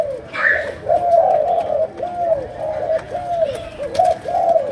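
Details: Spotted dove of Malaysian stock cooing in the sấm đồng manner: a steady string of low, rounded, arching coos running almost without pause, after a brief higher sound at the start.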